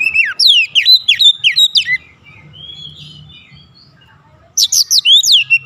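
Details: Provocation lure of white-rumped shama song, intended to make other shamas sing eagerly: a rapid series of loud, sharply slurred whistles, a soft warbling interlude, then another energetic burst of bright sweeping notes.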